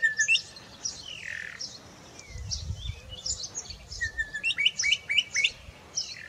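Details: Wild bokmakierie in forest, singing a scattered mix of slurred whistles and high chirps, ending in a fast run of sharp hooked notes about five per second, over a low background rumble.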